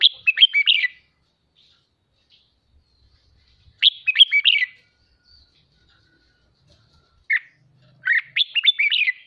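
A red-whiskered bulbul gives bright, warbled whistled phrases about a second long, repeated every few seconds with quiet gaps between.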